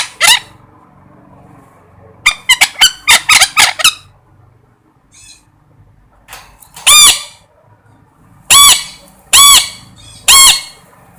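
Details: Parrot giving a run of short, scratchy squawks, then a pause with faint sounds, followed by four long, loud, arched screeches about a second apart.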